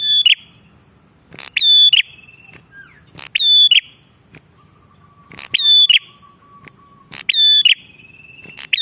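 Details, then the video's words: Bar-winged prinia in lively voice for luring wild birds: loud, grating calls repeated every one and a half to two seconds, with trailing thin whistles and a long low flat whistle between. "Suara prenjak gacor ampuh buat pikat"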